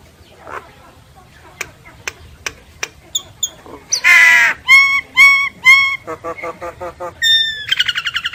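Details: Common myna song that opens with scattered dry clicks, then breaks into loud rasping notes and clear whistled tones repeated three times, ending with a quick high rattling trill.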